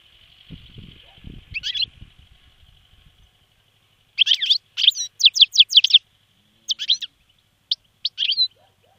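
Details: European goldfinch caught on 28 December 2011 near Stolac, not yet in full song form: after some low handling noise, bursts of high twittering notes, a rapid run of about eight sharp chirps, then scattered short calls.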